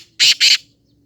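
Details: Black francolin giving two loud, harsh, rasping notes back to back in a brief burst, with nothing else heard.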